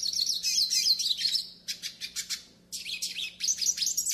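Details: Hooded siskin from northeastern Brazil, song for training and warming up birds: dense rapid twittering warble, a run of evenly spaced short buzzy notes, a gap, then more high chattering trills, with a faint background hum.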